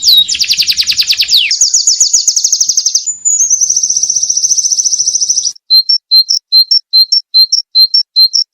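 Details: Continuous ngalas-style song of a white-eye, used for tutoring cage birds: a dense, fast high trill, then a long buzzy trill held steady, followed by crisp paired chips spaced about twice a second.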